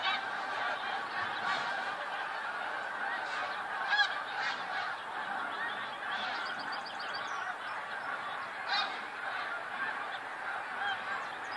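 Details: A huge flock of snow geese on 28 February 2013 calls nonstop, a thick mass of honking yelps with occasional sharper nearby calls breaking through.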